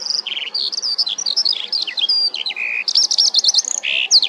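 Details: A male common linnet in full summer plumage sings a fast, twittering run of high chirps, trills and buzzy notes, changing phrase every fraction of a second, with nothing else heard.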